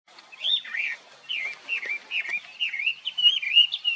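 A Chinese hwamei gives loud, rich whistled phrases, each slurred up and down, repeated about three times a second with brief pauses between runs.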